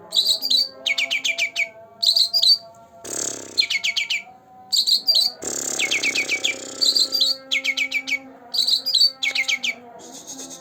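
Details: Green leafbird, two months old, in lively song used as a lure for quiet birds: clusters of rapid descending chirps and bright whistles, twice interrupted by a short broadband rustling noise, with a low hum beneath.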